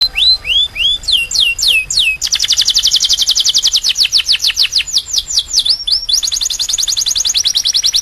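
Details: Domestic canary singing: a loud, high run of phrases, opening with slurred rising-falling whistles, then long fast trills of rapid repeated notes that shift in pitch, ending in dropping sweeps.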